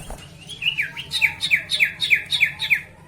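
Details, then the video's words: Sooty-headed bulbul gacor song for stirring rivals to sing: about seven bright, quick whistled notes in an even, rapid series, each sweeping down slightly, with light background hum. "pancingan burung sirtu dijamin bikin lawan 100% cepat gacor"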